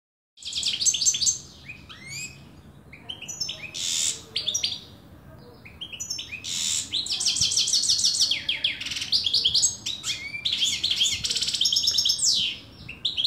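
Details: European goldfinch, called saira, an Afghan bird, in a long, fast, twittering song of high, tinkling notes, buzzy trills and rapid chirps in dense bursts, with short pauses between phrases and no other clear sounds.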